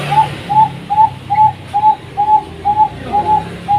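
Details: Cooing zebra dove, a caged Bangkok-line bird in a Pasuruan, Indonesia collection: about ten crisp, slightly rising-falling notes repeated at a steady brisk pace, with a low hum in the background.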